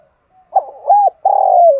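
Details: In Dong Nai, Vietnam, a spotted dove coos to gather its flock in the morning: a quick short note, an arched coo, then a long sustained coo gently dropping in pitch.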